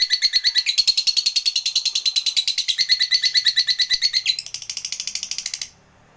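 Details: Lovebird 'ngekek' chatter played to provoke fighter lovebirds: a quick string of rasping, buzzy notes for nearly six seconds, rising to a higher, thinner stretch near the end before stopping abruptly.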